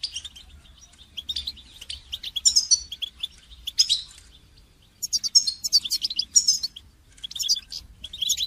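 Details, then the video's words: Song-training recording of a goldfinch: long, busy runs of high, liquid twittering and trills, broken by a pause near the middle before the bird resumes. "goldfinch song training"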